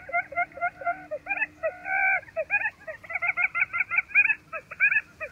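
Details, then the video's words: Wild buttonquail calling: a rapid series of short, nasal, harmonic notes, some slurred downward, others clipped and stuttering, delivered in quick bursts with brief pauses and a faint steady hum underneath. "Tiếng Chìm Cút Rừng Gáy Rất Chuẩn"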